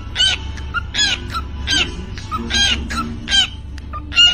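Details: Parrot kept as a pet, singing 'Happy new year': loud, buzzy, squawky phrases alternate with brief whistled notes at an irregular pace, over a low background hum.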